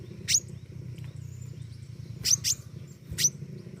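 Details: Thin, very high-pitched chips from a pentis raja flowerpecker in full voice: one note, then a close pair, then another, over a murmuring low hum.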